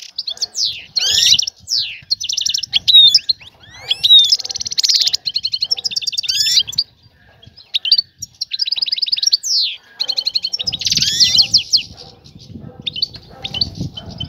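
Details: A female European goldfinch ready to breed calls to attract a male for mating and nesting. She gives rapid, high twittering bursts and buzzy trills with sweeping notes, with a low rustling noise near the end.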